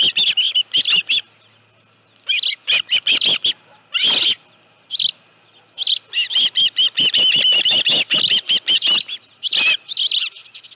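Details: Osprey at its nest with a live fish, evening of 25 July 2018 at 5:23 PM; clustered strings of high, sharp, slightly downslurred whistles, broken by quiet gaps, ending in a long rapid chatter.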